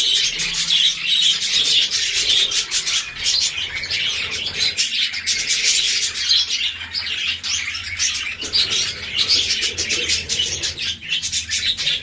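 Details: Budgerigars chatter nonstop with dense, high chirps and warbling notes that overlap throughout, suggesting many birds calling together.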